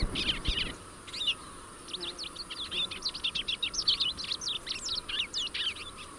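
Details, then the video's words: A rusty-collared seedeater (Sporophila collaris) sings a fast, chattering run of sharp, buzzy, high-pitched notes that speeds up toward the end, with a faint steady hiss underneath. "Canto do Coleiro do Brejo Sporophila Collaris"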